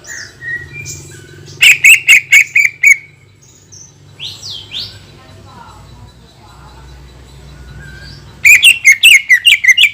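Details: Greater green leafbird delivering long 'tembakan' bursts used to provoke other leafbirds into reacting: two loud runs of rapid, sharp chirped notes, with softer whistles and faint calls between them over a low background hum.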